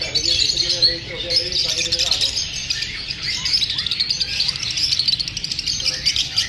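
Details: Several lovebirds, unsettled by being filmed, keep up a thick stream of shrill overlapping chirps, busy and unbroken throughout, with brief lower chattering notes near the start.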